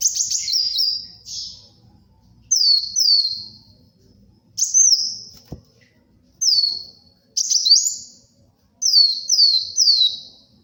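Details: Lively brown-throated sunbird song for luring and tutoring birds: short high phrases of paired downslurred whistles repeated about every two seconds, with a sharp tap midway.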